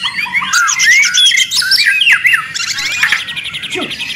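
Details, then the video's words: White-rumped shama singing noisily, used to train songbirds: varied whistled slurs and chatters run into a rapid buzzy high trill, ending with a low downslurred note. "Murai ribut Sangat berisik. dijamin nyaut bongkar materi."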